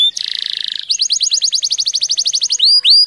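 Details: Tame canary singing to prompt another canary: a harsh buzzy trill opens, followed by a quick steady trill of high falling notes and two long rising whistles.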